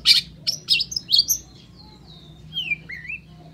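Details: Long-tailed shrike song opening with harsh scratchy bursts, then shifting to thin drawn-out whistles and a wavering slurred note, softer toward the end, over a faint low hum.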